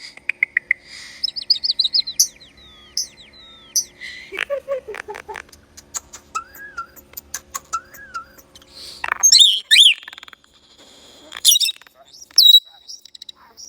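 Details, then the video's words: Unidentified bird producing a rapid mix of sounds: short chirps and descending whistled notes, slurred rising-falling whistles, clicks, and sharp high squeaks in loud bursts separated by brief pauses. "This bird makes unbelievable noises"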